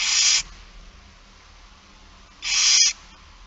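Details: Two loud, breathy barn owl screeches, each under half a second, come two seconds apart during a feeding on 8 September 2019 at 16:02, with quiet background between them.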